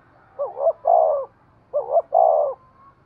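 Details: Spotted dove giving urging coos to stimulate breeding: two close phrases, each a pair of short hoots running into a longer, level, throaty coo, about a second apart.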